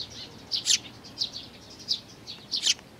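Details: Eurasian tree sparrow chicks and their parents, 11 May 2019, giving a few loud, sharp, high chirps, some in close pairs, separated by softer notes and short pauses.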